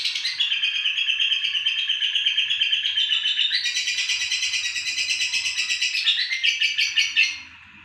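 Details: Female lovebird, fighter type, Indonesia: rapid pulsed high chatter repeated about three times a second, stepping up in pitch around the fourth second, then ending abruptly near seven seconds.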